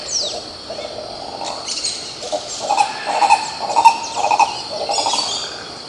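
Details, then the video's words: Coró-coró, the green ibis, recorded in Pirenópolis in Goiás state, Brazil, gives a rising run of hoarse, nasal calls that grow louder midway and then fade, against a constant insect drone and scattered bird chirps. "Canto do Pássaro Coró coró, Som do CORO CORÓ CANTANDO"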